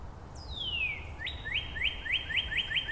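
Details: Wild Northern Cardinal in Angrignon Park, March 19, trading song variants with neighbours: a loud whistle gliding steeply down, then a high rising note followed by a rapid string of about six upward-slurred chips, over faint background hum.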